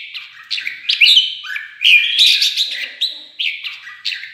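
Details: Provoked red-whiskered bulbul in a singing contest, pouring out lively warbled phrases of clear, slurred whistles in close succession, some notes sharply accented, over a quiet background.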